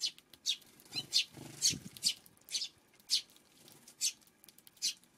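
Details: Eurasian tree sparrow on a June 5 afternoon, giving short, bright, harsh chirps repeated about twice a second in an uneven run of roughly ten notes, with a faint low rustling underneath.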